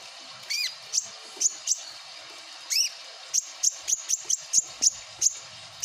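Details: Javan myna chattering: a rapid, uneven series of sharp, very high clicking notes, with two longer squealing notes that sweep up and then down early in the sequence, in a quiet background.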